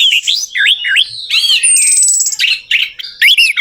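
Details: Orange-headed thrush song used to prompt a silent bird to sing: quick varied phrases of dipping whistles, a long high thin whistle over a buzzy trill, then more twisting notes.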